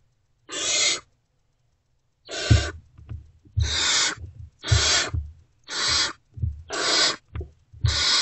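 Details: Great Horned Owl owlets, still not fed, respond to an adult returning to their nest box before dawn on 3 March 2024: seven raspy hissing screeches with low thumps and knocks between them.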